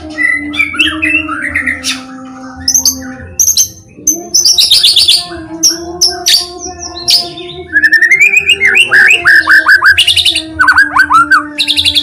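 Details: White-rumped shama song used to draw other shamas into song: varied whistles, dense high buzzy bursts and fast repeated notes in a long lively sequence, with a low steady drone underneath.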